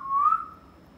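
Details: Pet parrot kept indoors, said to be talking; one clear whistled note that rises slightly and then slides gently down, lasting about half a second in a quiet room.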